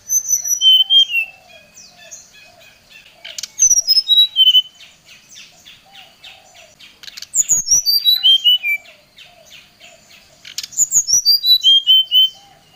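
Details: Oriental magpie-robin singing at a rival: four bursts of rapid descending whistled notes, each cascade about a second long and separated by pauses of a few seconds, over a faint low hum.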